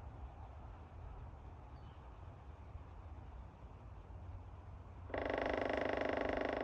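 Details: Northern flicker, a wild woodpecker in Fish Creek Provincial Park, Alberta, in April: after several seconds of low forest rumble, a sudden loud, rapid, evenly pulsed burst of harsh repeated notes starts and runs steadily to the end.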